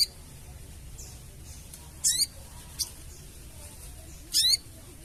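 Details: Sooty-headed bulbul crecetan chatter, meant to draw birds to a trap: two harsh, buzzy bursts of zigzagging notes about two seconds apart, with a short sharp chip between, against faint steady hum.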